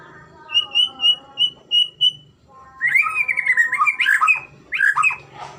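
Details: White-rumped shama training song: six evenly spaced clear whistled notes on one pitch, a short pause, then a fast jumble of slurred whistles and chattering notes, with low background hum.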